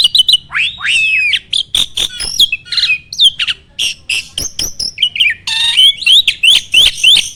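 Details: Starling song meant as a training recording to provoke other birds into song. Swooping whistled slurs and sharp chips repeat quickly, with a harsh rasping burst and rising whistles near the end.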